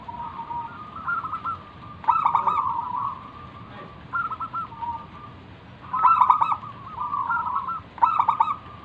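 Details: Local wild-type zebra dove singing vigorously, used as a lure to draw other doves into answering. Rapid rolling coo phrases near one pitch, with bursts of harsher stuttered notes about every two to four seconds over a faint hiss.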